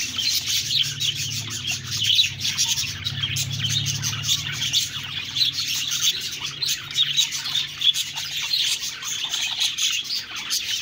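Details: Budgerigars keep up constant high twittering chatter with quick overlapping chirps. A low steady hum runs underneath for the first half.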